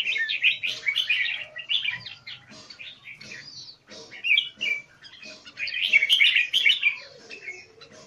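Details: Singapore-style kept red-whiskered bulbul, or jambul, in open-tail, eagle-wing display. Busy warbling and twittering in uneven bursts, about three notes a second, some louder rolling phrases between quieter chips.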